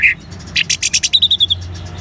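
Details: Caged orange-headed thrush giving ngeban-style song meant to stimulate other birds: a short whistled note, then a quick run of about ten sharp, evenly spaced chirps, ending in a thin high trill.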